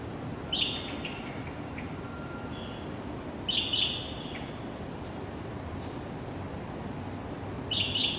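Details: At dawn in January, a pale thrush at Xingguo Elementary School, Zhongli, gives short high buzzy clusters of notes a few seconds apart, each bunch with brief trailing tones, over low steady ambient noise.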